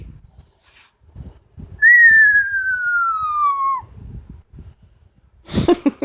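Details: Female pet Amazon parrot at home giving one long, pure whistle that starts high and glides steadily downward for about two seconds, with the owner's voice softly before and after.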